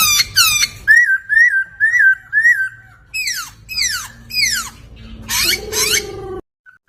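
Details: Poksay laughingthrush song from a master recording for training songbirds: four repeated upslurred whistles, then steep falling sweeps and harsh bursts over a low held note, ending in near silence.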